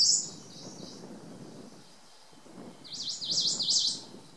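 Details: Ijima's leaf warbler recorded near the Akakokko nature centre: a brief high twitter at the start, then a pause with low background noise, followed by four fast, high zigzagging whistled notes.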